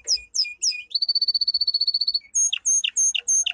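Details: Caged domestic canary singing for training: three swooping high notes, a long rapid rolling trill, then four loud separate whistled phrases.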